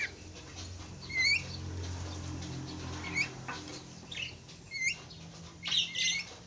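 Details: Two Javan mynas give sharp upslurred whistles and a couple of harsh rasping bursts, spaced every second or so, against a low droning background.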